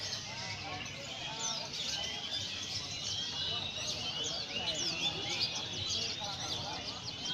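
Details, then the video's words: White-eye singing steadily in Indonesia, a bird kept for song: rapid high chirps and short twittering strokes run densely throughout, with quiet background noise and faint voices. "Burung Pleci mania indonesia gacor"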